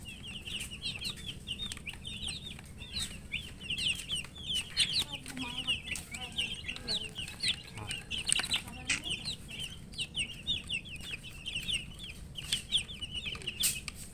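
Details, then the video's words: A flock of coloured chicks thirsty for drinking water keeps up an unbroken, shrill chorus of rapid, falling peeps, some louder double notes, with brief low murmurs and clicking underneath. "Murgi chicks Chirping sounds"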